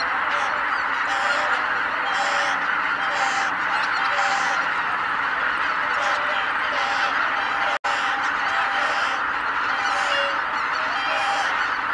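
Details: Large flock of greater white-fronted geese lifting off at once at Kabukuri-numa marsh, Japan, 12 January 2019: a dense roar of overlapping high, yelping honks over a steady wash of wingbeats.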